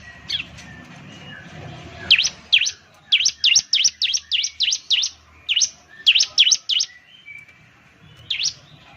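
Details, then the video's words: Bar-winged Prinia (ciblek) lure song, meant to get a bird singing eagerly: bursts of sharp, high V-shaped chirps, single then in quick runs of three or four, pausing between groups, over faint low background hum. "Suwara Burung Ciblek || Ciblek bird lures, the sound of the gacor immediately picks up"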